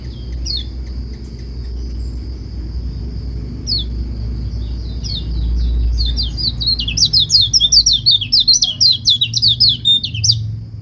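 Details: White-eye song used to set other white-eyes singing: a few scattered high chips, then a long, fast, tumbling burst of high twittering whistles in the last four seconds, over a thin steady high hum and low background rumble.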